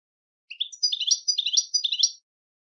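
A goldfinch sings a quick, liquid twitter of high tinkling notes in about four linked bursts lasting under two seconds, with no other sounds.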